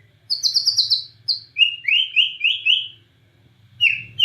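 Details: Borneo murai batu (white-rumped shama) in full nembak cililin song: high sharp notes falling in quick series, then a string of repeated slurred whistled phrases at lower pitch, a pause, and more loud downslurred notes.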